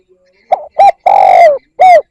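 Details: A single spotted dove phrase for luring wild doves, the 'kích bổi' call: a soft short note, a clipped coo, a long downward-sliding coo and a firm last note.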